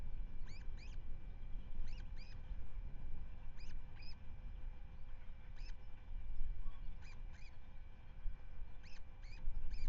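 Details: Ospreys at their nest at Manton Bay, Rutland, England, recorded on 10 May 2025 by a wide-angle nest webcam: sharp, upslurred whistled chirps, given singly and in quick pairs or short bursts, recurring through the clip over a steady low rumble.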